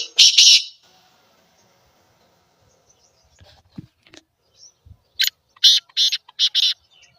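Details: Black francolin call played to make francolins call: one loud harsh double note at the start, near silence with faint clicks, then a rhythmic sequence of five grating notes toward the end.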